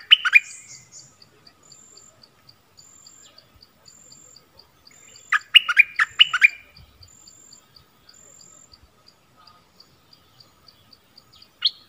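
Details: Bulbul used as a decoy for luring wild birds, 16 March 2021, sings brief clusters of lively, gurgling chirps several seconds apart; a faint high insect hum and regular ticks fill the gaps.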